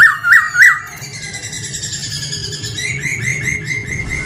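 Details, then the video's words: Song of a male laughingthrush opening with three quick, loud, upswept whistled notes. A quieter, rambling warble of squeaky notes follows, with a low steady hum underneath. "Khướu trống hót hay nhất"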